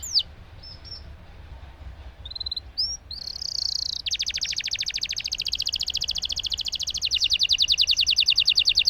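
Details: Singing canary used to coax silent birds to sing: a few short high whistled notes and a brief buzzy phrase, then a sustained rapid trill rolling on for several seconds, slightly shifting pitch near the end.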